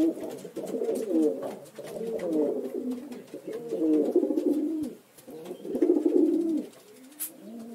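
Pigeons coo in low, throaty, rolling phrases, four bursts each lasting a second or more, with faint clicks and room noise between them.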